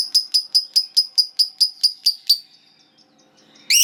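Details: Lovebird in long ngekek style: a regular run of about a dozen sharp, clipped high chirps, evenly spaced, stopping abruptly before a brief quiet gap and one final loud burst.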